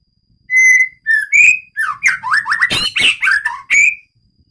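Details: Medan-type White-rumped shama singing in its breeding aviary: pure, ringing whistles with overtones open a rich phrase of rapid slurred, rising and falling notes and harsh clicks, ending in another clear whistle.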